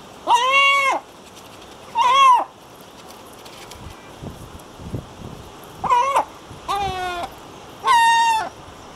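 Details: In a herring gull breeding colony, five loud, drawn-out, plaintive calls, each lasting under a second with a strained, nasal tone, separated by quiet gaps with faint background noise.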